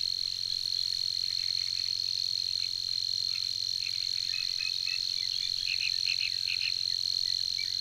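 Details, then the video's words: Savi's warbler singing at Tancat de l'Illa: a persistent, unbroken high reeling buzz held at one steady pitch throughout, with scattered faint chirps and clicks from other creatures underneath. "BUSCARLA UNICOLOR en el Tancat de l'Illa - Parte 2 | 🎵 CANTOS DE AVES"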